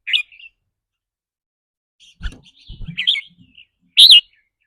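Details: Red-whiskered bulbul singing in the rapid 'rik rua' style linked to its mood that day: an opening whistled note, a pause, low knocking, then warbled chirps ending in one loud bright phrase.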